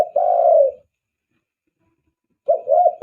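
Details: Spotted dove, a lure call for attracting doves: one long drawn-out hoarse coo, silence, then a quicker pair of rolling coos.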